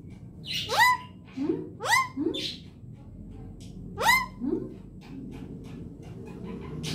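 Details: Pet parrot talking in short squeaky syllables, several rising upswept notes in quick pairs with soft low murmurs between, three main bursts across seven seconds, low background hum.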